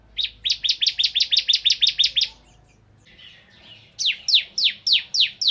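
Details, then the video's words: Energetic kristal-type bar-winged prinia delivering nembak ngebren song: a fast train of piercing high chips, a brief soft pause, then a slower series of loud downward-sweeping notes repeated roughly every quarter second. "Suara Burung Ciblek Kristal Gacor"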